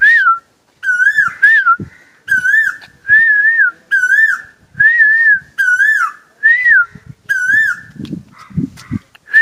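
An Asian koel gives clear, wavering whistled notes, about one every second and a half, each rising then falling. Low thumps sit underneath.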